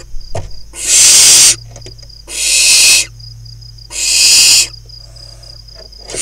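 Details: Five barn owl nestlings playing inside a nest box among crop fields of Kibbutz Snir, northern Israel, in June; three loud rasping hisses at regular intervals, with soft clicks and scuffling sounds between them.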